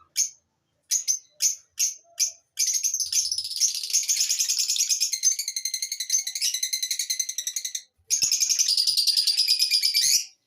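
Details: Lovebird starts with five separate sharp chirps, then breaks into a long, fast, continuous chattering trill of high buzzy notes, pauses briefly, and resumes the rapid chatter before stopping.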